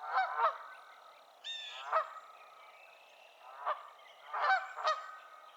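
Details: Wild Canada goose pair calling from a lily-pad perch in Massachusetts, USA, one goose spinning its head as it calls; loud nasal honks in quick pairs and clusters, some sharp and clipped, others drawn out and harsh, with short pauses.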